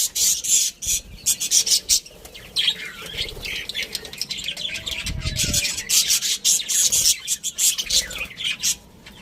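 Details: Breeding-pair budgies with their family chatter in rapid, scratchy pulses of high twittering, broken by short squeaks and a faint low rubbing sound near the middle.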